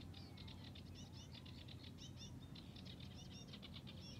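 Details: Sedge warbler in the reeds of Hörningsholm, Alnö, Sweden, 9 July 2021, pouring out a hurried medley of harsh chatters, short whistles and clicking trills with a brief pause midway, against low steady rumble.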